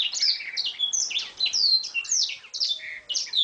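Oriental magpie-robin in rapid, unbroken song: bright high whistles, trills and chattering phrases tumbling together with canary-like fill-ins, no pauses.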